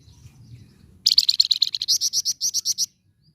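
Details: Red-fronted serin (flamboyan) singing vigorously in chattering, rolling style as a tutor recording for training other birds: after a quiet second, a rapid buzzy high trill of about twenty sharp repeated notes for nearly two seconds, ending abruptly.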